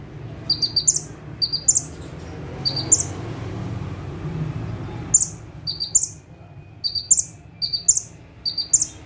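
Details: Bar-winged prinia, known locally as ciblek or prenjak tebu, singing actively in bursts while perched still in one spot; short bursts of high, sharp chirps spaced about a second apart, a steady low hum beneath.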